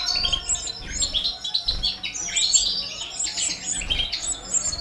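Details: Goldfinch of the balkan subspecies feeding four baby canaries: dense high chirps and squeaky twittering, overlapping and restless, with short buzzy bursts recurring through the clip.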